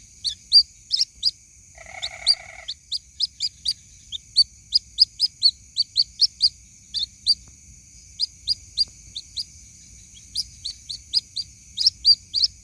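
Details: White-breasted waterhen chick calling its mother, used as a lure sound: a long run of thin, high, sharp peeps, roughly two or three per second, with one brief nasal buzzy burst near the start and a steady high whine throughout.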